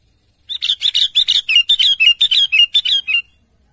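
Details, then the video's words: Calling to its companions, a sooty-headed bulbul gives a long fast series of about eighteen sharp chirps, nearly two per second at first then quicker, bright notes gently dropping in pitch toward the end. "Burung Kutilang Gacor memanggil temanya"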